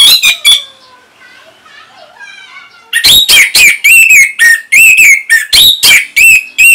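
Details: Orange-headed thrush singing as a tutor for young and silent birds, in northern Bali: strong, rapid whistled phrases, repeated many times, after faint soft whistles at the start.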